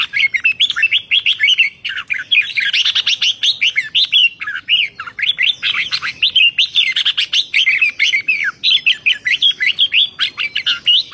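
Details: Lively, excited Red-whiskered bulbul song in the rapid 'rik' style, 2023: a dense, sustained flow of chirped and whistled notes sweeping up and down, phrases piling over one another with almost no break.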